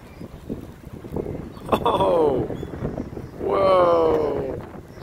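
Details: Ring-billed gulls gathering to be fed, circling and hovering around people, give two drawn-out, slightly falling mewing calls, each about half a second to a second long, over wind rumble and excited human voices.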